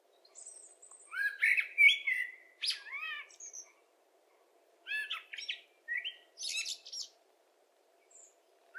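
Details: Blackbird song made of separate short phrases: rich, slurred fluting notes followed by scratchy high twitters, with pauses of about a second between bursts. A faint steady low hum sits underneath.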